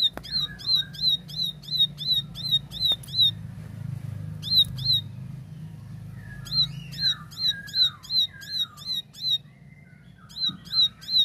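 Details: Ciblek sawah, or plain prinia, in clear, energetic tembakan song: quick strings of high, sharp chips about three per second, pausing between strings, with lower descending slurred whistles mixed in.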